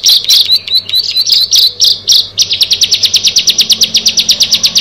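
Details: Bar-winged prinia, from a group of six, opens with scratchy warbled chirps, then switches to a brisk run of high ticking notes about six per second.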